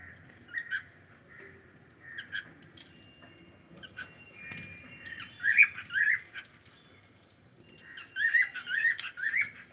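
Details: Cockatiel kept as a pet, calling in short bursts of bright, rising chirps, two or three quick notes per burst, with pauses between groups; soft low room hum and faint clicks underneath.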